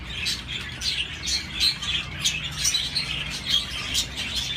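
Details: Steady chatter of budgerigars, a stream of high, scratchy chirps and short squawky notes repeating in quick bursts with no quiet gaps.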